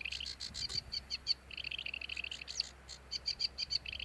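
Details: Sedge warbler singing a fast, scratchy chatter of short notes mixed with sharper, clearer whistled notes, delivered in irregular bursts with brief pauses.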